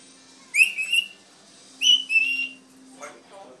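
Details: A red-tailed African grey parrot whistles two clear, level, ringing phrases about a second apart, then gives a short rough squawk, with a faint steady low hum in the room.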